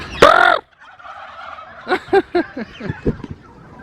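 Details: Turkeys in an open bird park at Lake View Park, Islamabad, in the afternoon, break into rapid, rattling gobbles, several quick pulses, right after a sharp, high call, apparently answering a man's imitated calls; faint park chatter behind.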